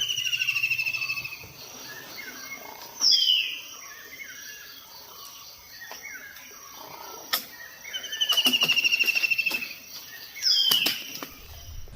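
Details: A kingfisher at Thattekkad Bird Sanctuary in Kerala's Western Ghats, near-dry season, gives shrill, high, rattling trills that slide downward, four bursts in twelve seconds, with sharp clicks and faint background noise.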